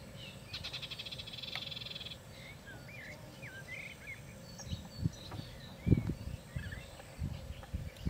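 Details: European bee-eaters at the Soča river mouth on 21 May 2022: short, rolling, liquid 'prruip' notes scattered over several seconds, after a brief buzzy frog-like trill, over steady low wind or water rumble.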